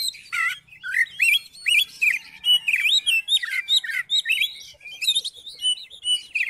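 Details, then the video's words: Oriental magpie-robin singing to coax another magpie-robin into song: about two bouncy whistled notes per second, many sliding up then down, mixed with thin high chirps. "COBA DIPANCING DENGAN KICAUAN KACER INI"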